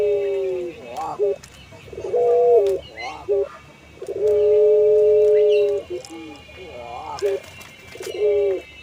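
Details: Puter pelung collared dove, kept for its melodious long-drawn voice: a sequence of short quavering coos followed by a long steady sustained hum, then more short wavering notes, with a faint high tone throughout.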